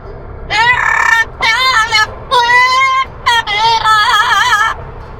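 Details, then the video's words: An Amazon parrot in a long practice session singing the song "La Puerta Negra", five or six drawn-out, nasal, voice-like phrases, some with a wavering vibrato, over faint room noise. "Amazon parrot singing la puerta negra"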